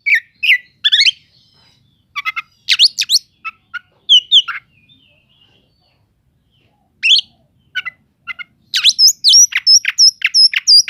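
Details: Oriental magpie-robin song for provoking other magpie-robins: irregular harsh chattering notes and short whistled slurs separated by silences, ending in a quick series of high sharp repeated notes.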